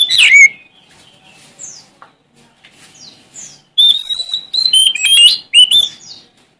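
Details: Song of a Sumatran Oriental magpie-robin seeking an opponent: one loud slurred note, soft scattered chirps, then a rich run of piercing whistles and twittering notes.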